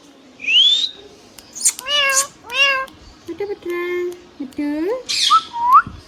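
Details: Hand-tame talking pet ringneck parrot producing a series of nasal, harmonic, meow-like and word-like calls, several rising and falling, with a high whistle at the start and a sharp screech midway.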